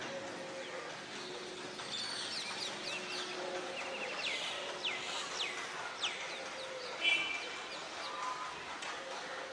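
Coppersmith barbets call during a fight: low, hollow notes repeated among busy, high chattering and squeaky calls from several birds.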